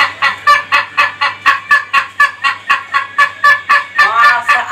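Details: Laughing crow of an Ayam Ketawa rooster, the Indonesian laughing chicken: quick, regular staccato syllables, roughly four each second, ending in a more drawn-out, wavering note, over a faint low hum.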